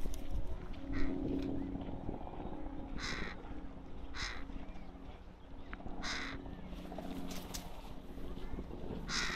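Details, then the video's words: Young crow in Leipzig's Rosental park, Germany, uttering several short, somewhat distant hoarse caws at irregular intervals, partly masked by a steady low hum and murmuring background noise. "Junge Krähe im Leipziger Rosental / Young Crow in Leipzig Rosental"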